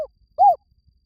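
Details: Spotted dove lure call, a single short arched coo, low and rounded, with the tail of a previous coo just before it, otherwise silent.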